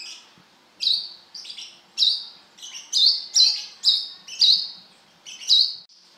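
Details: Brown-throated sunbird in full song: a string of about ten shrill, high whistles with sharp onsets, some paired close together, others spaced nearly a second apart, loud and clear against silence.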